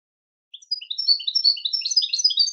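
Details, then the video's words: Song of a European goldfinch: a lively, jangling series of bright, liquid chirps that quickens and thickens over two seconds, with no other sounds. "Melodic Marvels: The Captivating Songs of European Goldfinches"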